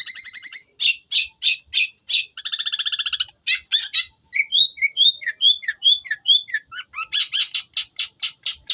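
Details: Long-tailed shrike delivering Tengkek Buto material: rapid buzzy trills and a rattling stretch, then a series of liquid slurred whistles, closing with a steady row of loud, sharp repeated chips.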